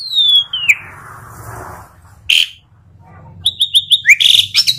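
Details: Asian pied starling singing: a long descending whistle, a short harsh note after a pause, then a quick run of repeated chirps and a rising whistle.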